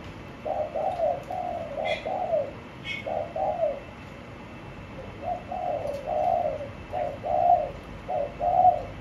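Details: Caged spotted dove giving hoarse, low coo phrases in bursts with short gaps. A few sharp chirps from another bird occur early on.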